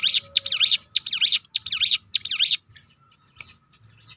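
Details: Ciblek gunung, or crested honeyeater, giving a rolling series of loud high zigzag notes, roughly two per second for two and a half seconds, then faint scattered chips; used to lure other birds to sing.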